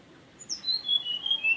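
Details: Mountain tailorbird song: a thin, high whistled phrase of sustained notes, each pitched a little lower than the last, in a steady descending series over about a second, with a quiet background.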